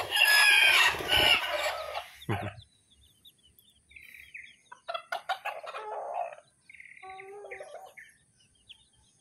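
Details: Colourful bantam chicken siblings: a loud rustling, scraping noise opens, then clear clucking calls follow in short bursts, some in quick ringing series and some as short harmonic notes, with quiet pauses between.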